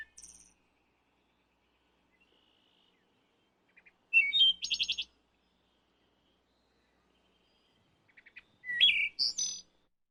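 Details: Wood thrush song: a series of varied phrases roughly every four seconds. Quiet pip notes lead into rich, flute-like, warbled notes, then a thin high trill. A calm, still background.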